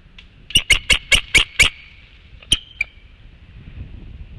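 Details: Newly hatched Bald Eagle eaglet, still wearing its eggshell, at the Hanover nest on 28 March 2016, filmed on night infrared camera while its mother broods, cheeps: a quick run of six high, thin piping chirps, then two more spaced notes.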